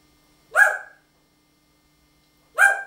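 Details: Talking parrot, pet: two short, harsh, harmonic-rich utterances about two seconds apart, each sharp at onset and fading quickly, in an otherwise silent room.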